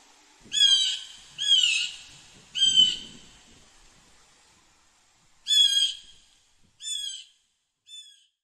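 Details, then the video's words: Blue jay uttering loud, harsh, buzzy calls: three in the first three seconds, a pause, then three more fading in strength, with light background rustle. "WHAT NOISE DOES A BLUE JAY MAKE - Blue Jay Sound and Voice"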